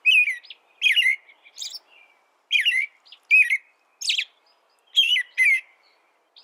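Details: Song of a canary: clear chirps with bending, dipping whistled tones, sometimes in close pairs, separated by brief pauses. A soft trailing note follows some phrases. Quiet surroundings.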